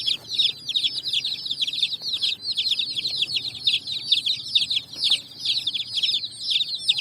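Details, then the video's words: Numerous colourful chicks roaming sand in evening light while finding food; shrill, crowded cheeping that never pauses, overlapping downward-sweeping notes. "Chicks Chirping"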